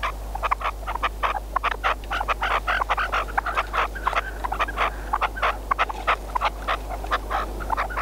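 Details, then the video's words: Partridge kept as a hunting decoy, calling in the field: long sequence of crisp, grating clucks at a fast, uneven pace, close to a hundred a minute, with a faint low hum beneath. "Perdiz con reclamo"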